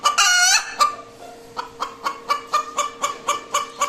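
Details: Domestic hen cackling after laying an egg, opening with a long harsh squawk, then sharp regular clucks about four per second over a faint constant hum.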